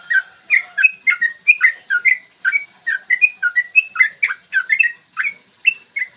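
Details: Fast chattering ropel song of a yellow-vented bulbul, a clear morning recording used as a provoking lure: bubbling whistled phrases packed closely, each note quickly bending up or down.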